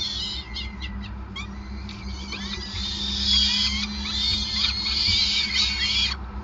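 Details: Peregrine falcons at their Groningen nest while being fed, 5 May 2020; a few short clicks open, then dense, overlapping high wailing calls swell and continue almost without pause, over a persistent low droning hum.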